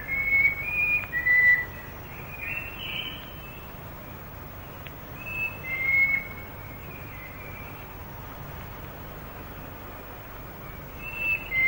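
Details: Plain babbler recorded in the Malaysian rainforest around the late 1950s to early 1960s, giving scattered bursts of high whistled notes separated by long quiet gaps, over steady forest hiss.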